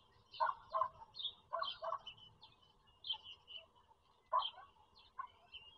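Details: Chirps and squealing bursts from a bald eagle nest with four young in Pennsylvania farm country, captured by nest camera in April 2022; paired rough notes repeat about every second, with thin higher chirps between and a steady low hum.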